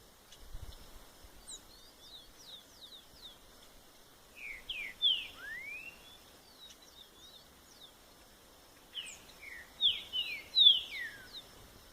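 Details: Green-winged saltator in the wild: two bursts of short, clear, slurred whistled phrases, some rising and some falling, separated by a few seconds of quiet, with faint high chirps from other birds.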